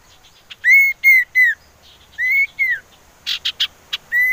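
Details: Common iora whistling, used as a lure to prompt birds to sing: clear, sweet, arched whistled notes in groups of three and two, with a few short raspy notes before a final whistle.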